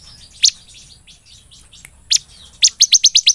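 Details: Bar-winged prinia (ciblek) giving scattered single high chips, then breaking into a fast run of six crisp, evenly spaced chirps in its 'belalang emas' song style.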